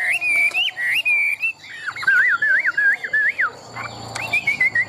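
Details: Caged, well-tamed Chinese hwamei noted for strong contest singing. It gives long sustained whistles, then a rapidly wobbling, yodel-like whistled phrase, and finally a short series of falling notes.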